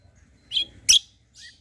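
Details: White-eye, known locally as kecial kombo, used as a lure to make other birds answer: two sharp, high, bright chirps about a third of a second apart, then a fainter, softer note.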